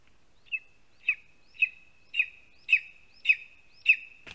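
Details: Nestling lesser spotted eagle in a Latvian spruce nest, recorded by a live camera around 12:25 pm on 2 August 2020 when a vole arrives; seven evenly spaced shrill piping calls about every 0.55 seconds, ending in a brief knock.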